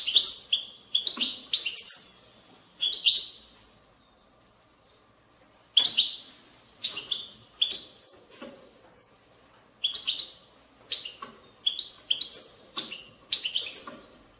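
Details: European goldfinch song played to stimulate birds to sing: bursts of bright twittering and buzzy trills with sharp chirps, in phrases of one to three seconds separated by short pauses.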